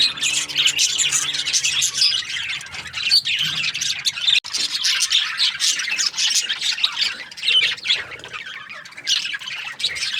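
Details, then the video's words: Australian budgerigars chirping: a dense, continuous flock chatter of high scratchy chirps and warbles, overlapping without pause for ten seconds, with a faint low hum beneath. "Australian budgies chirping sound"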